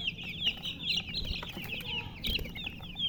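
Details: Chicks chirping beside a hen: a dense stream of thin, high peeping notes, overlapping and repeated several times a second, with soft low rustling underneath.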